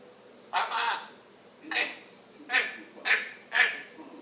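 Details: Pet African grey parrot's morning chatter recorded on 26 July 2021, indoors: five short, speech-like bursts of mixed syllables about half a second to a second apart, with quiet room noise between.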